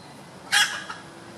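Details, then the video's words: Red junglefowl hen giving one abrupt, harsh, buzzy note, followed by a softer short echoing after-note, against quiet background noise. "Red Jungle fowl | HEN"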